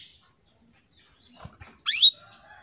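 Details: A female canary calls to attract males: after faint rustles, one bright, quickly rising chirp ending in a brief whistled note.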